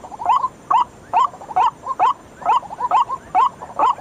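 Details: Night lure call of the white-breasted waterhen, with harsh upward-curling notes repeated about twice a second and quieter clipped notes filling the gaps between the main calls.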